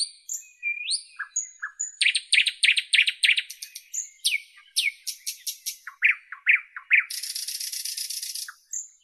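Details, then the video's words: Nightingale in full song, a varied run of sharp whistles and upslurs leading into fast repeated loud chirps, several rapid stuttering notes, and a long harsh buzzy rattle near the end; clean with no background sounds. "Nightingale Birdsong"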